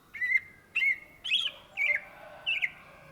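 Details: Greater green leafbird, known in Indonesia as cucak ijo and native to Indonesia, singing in lively gacor style: five loud whistled phrases, each a sliding note with a ringing tail, spaced about every half second.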